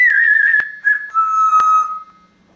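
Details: Pet African grey parrot with a large vocabulary and mimicked barks and laughs; one sustained pure whistle sliding slowly downward in steps over about two seconds, with sharp clicks, then fading to quiet.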